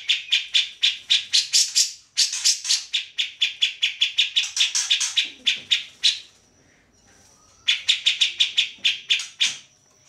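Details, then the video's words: Grey-cheeked bulbul in full, energetic song, used as a tutor recording for songbirds like the white-rumped shama: fast, harsh, buzzy notes about four per second, a pause, a thin steady whistle, then the chatter returns. "Cak Jenggot Gacor"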